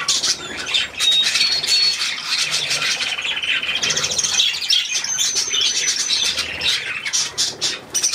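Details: Budgerigars taking a shower bath, a steady stream of high warbling chatter and short squeaky notes with brief whistled tones, busy and overlapping throughout.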